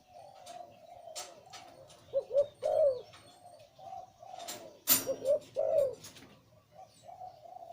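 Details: Breeding male zebra dove of the Liu Tan coo type, deep-voiced, with soft burring coos throughout and two louder phrases of quick doubled notes plus a drawn-out rolling coo, split by a loud click.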